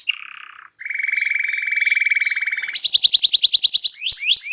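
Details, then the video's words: Energetic canary song meant to prompt quiet birds to sing: a short buzzy note, then a long steady rattling roll, then fast high trilled notes and a few sharp sweeping calls. "Kicau Burung Kenari Gacor Ngegas untuk Pancing Burung Diem"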